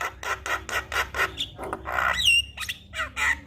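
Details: Javan myna, harsh rasping squawks repeated about four times a second, then a clear rising whistle and scratchy notes; a filler-rich song meant to draw a silent myna into song.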